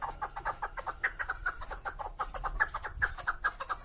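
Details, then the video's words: Female chukar partridge used for hunting, excited: a continuous series of rapid, husky clucking notes, roughly two or three each second, with slight rising squeaky accents, over steady low background noise. "Madi ChakorMasti FemaleChakor Hunterشکاری مادی چکورمستی"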